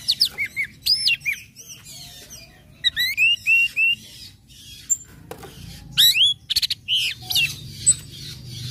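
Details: Varied song of an Orange-headed thrush meant to prompt other birds to sing: many quick, sweeping whistled notes rising and falling, upslurred chips and clicks, phrases spaced by short pauses throughout.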